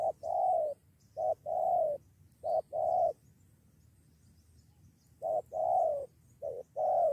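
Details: Spotted dove answering a decoy and preparing to fight, with two birds nearly fighting one. Hollow paired coos, short then long and falling, sound in two bursts separated by a quiet gap of about two seconds.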